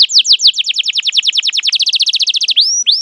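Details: Canary lure song meant for young canaries to learn from, a long full-fill singing style: rapid series of sharp downward-sweeping whistled notes, about three to four per second, speeding into a dense tour, ending with two upward-curving slurred notes; no other sounds.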